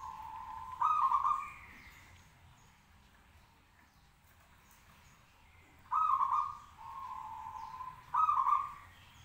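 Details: Zebra dove of local stock in steady song to make others answer: short, emphatic trilled coos alternate with longer, smoother drawn-out notes, repeated in the same pattern.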